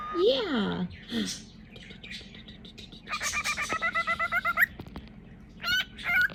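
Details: Pet cockatiel playing peekaboo indoors, winding up before the game. Wavering whistled and voice-like notes open, then a rapid run of evenly pulsed, nasal chattering notes builds, with short whistles near the end and a person speaking softly.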